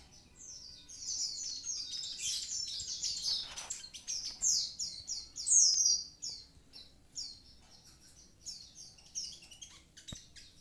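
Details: Javan pied starling singing actively: a long run of bright, high whistled and chattering notes, rapidly repeated short downslurred phrases with a few louder bursts, over a quiet background.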